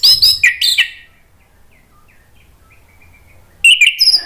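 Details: Orange-headed thrush song for prompting a bird that has stopped singing. Bright, jumbled high whistles open the phrase, then come soft scattered notes and a long pause. A dense, tinkling high burst closes it.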